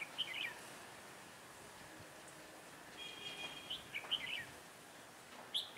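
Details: Decoy red-whiskered bulbul singing during trapping on a cold, windy winter day, 16 December 2017: brief, sharp chattering phrases repeated every second or so, plus a short, steady whistled tone midway, against low rustling and hiss.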